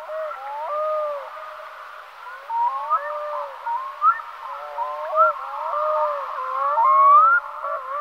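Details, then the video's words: Black-throated Diver, Gavia arctica, giving a tangle of mellow, wavering tonal calls that bend up and down, with sharper rising whistles every second or so and steady murmuring beneath. "Чернозобая гагара - Gavia arctica"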